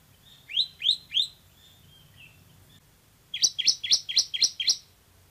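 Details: Loud singing bar-winged prinia (ciblek semi): three spaced downslurred whistles, a pause, then a fast run of six high, buzzy chirps.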